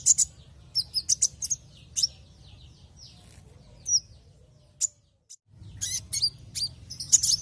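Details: Javan white-eye singing, used as a lure for other white-eyes: rapid high chirps and short trills, a near-silent gap midway, then dense high twittering resumes, with low background hum.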